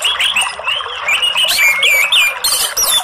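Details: Orange-headed thrush, a kept bird, in a rich, continuous warbling song of sweet slurred whistles and quick chattering phrases, loud and varied with no pause.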